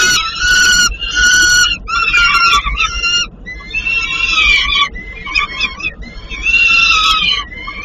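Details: Peregrine falcon chicks begging while being fed at a nest in Płock, Poland: loud, harsh, wailing calls in long overlapping bursts of about a second, nearly continuous, with brief gaps between bursts.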